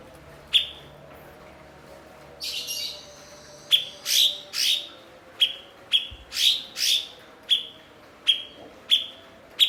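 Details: Blue-winged leafbird (cucak cungkok), a fluent mimic of other birds, kept as a master bird for training songbirds: a series of about a dozen sharp, high chipping notes with falling tails, some harsher buzzy bursts among them, over faint background hum.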